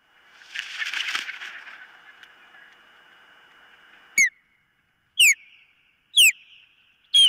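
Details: Osprey at the nest on a nest cam: a soft rustling scrape at first, then four short, sharp downslurred whistles spaced about a second apart over a faint steady hum.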